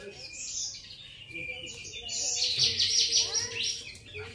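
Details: Grey-cheeked bulbul giving thin, high chirps that build into a loud, rapid, buzzy chattering series of notes through the middle and latter part, then fade. A faint low steady hum runs beneath.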